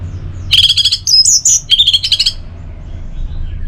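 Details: Orange-headed thrush song with a dense, high, chattering run of rapid notes and short trills lasting nearly two seconds, loud and close, with a faint low rumble behind.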